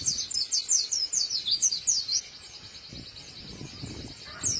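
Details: A white-eye with a crisp voice sings a quick run of high chirps, each note sliding down then up, for about two seconds before fading, with a short burst at the close.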